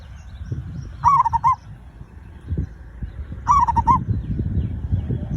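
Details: Zebra dove singing, a recording meant to stir other birds into song: two bright phrases of stuttering cooing notes, the first trilled and slightly descending, separated by a pause of about two seconds, with low background rumble.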